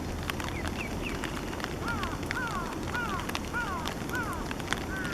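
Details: Somewhat grown Eastern spot-billed ducklings, three chicks, 5 July 2015: thin, high peeps that slide downward, repeated about every half second over a steady rushing background noise.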